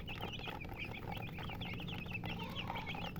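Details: Chirping chickens, many short high peeps tumbling over one another in quick succession, with a low steady hum and background rumble underneath.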